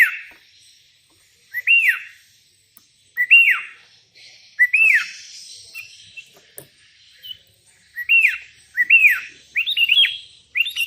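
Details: Sooty-headed bulbul calling rivals, wild bulbuls answering: short, loud arched notes that jump up and fall back, given in clusters of two to four, with pauses of about a second between phrases.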